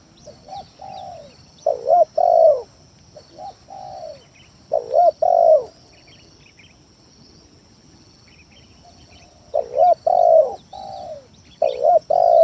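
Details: Spotted dove lure song used to provoke rivals into calling: repeated low cooing phrases, a short coo followed by two longer hollow coos, several phrases with pauses, faint high chirps of other birds and a steady high hum.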